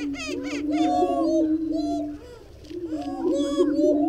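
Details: Greater prairie-chicken: a continuous low droning hoot overlaid by rising and falling whoops and bursts of high cackles at the start and end, with a brief quieter lull in the middle.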